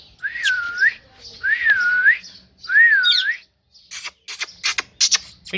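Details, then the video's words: Parrot giving three clear wavy whistles, each dipping and rising over about half a second, followed by a burst of sharp clicks and squeaky ticks. "Parrot Talking"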